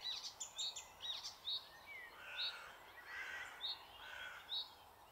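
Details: Icterine warbler in a thicket in the Alblasserwaard, Netherlands, giving a series of bright, high, chirping notes about once a second, mixed with lower slurred whistles and a quiet, varied chatter.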